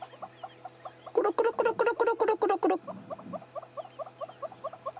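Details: A pair of hornbills displaying on a morning safari drive, 4 March, raising their wings overhead as the call builds to a crescendo: a quick series of hollow clucks swelling into a loud, rapid burst of harsher pulses, then settling back.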